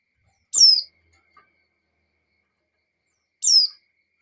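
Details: Two high, thin, downslurred notes about three seconds apart from a breeding female white-eye calling the male, in an otherwise quiet setting.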